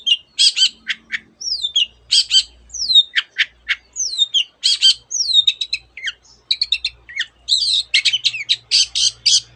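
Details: Long-tailed shrike pouring out mimicked song with canary and other birds worked in: harsh clipped bursts alternate with descending whistled slurs, then a thick run of rapid chatter, all high-pitched and almost continuous.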